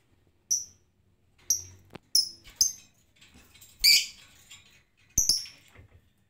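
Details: Unprompted lovebird in 'ngetik' mode, reluctant to give its long 'ngekek' song: short, piercing high chirps spaced irregularly about a second apart, with one harsher burst in the middle and faint clicks between.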